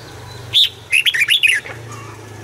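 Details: Red-whiskered bulbul decoy, morning song meant to provoke other bulbuls into singing: one sharp whistle, a short pause, then a rapid run of bright, rolling warbled notes lasting about half a second, over a low steady hum.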